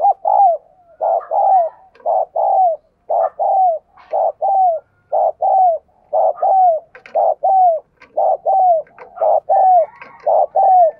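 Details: Decoy spotted dove cooing to lure and excite males: loud, low, hoarse coo phrases, each a short burst then a longer falling note, repeated steadily about once a second over a quiet background.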